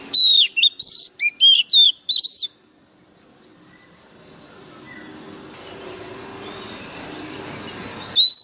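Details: White-rumped shama song: a rapid run of loud, clear whistled notes, each sliding up or down, in a two-and-a-half-second burst. Faint background hiss and softer distant chirps follow, then one more bright whistle at the end.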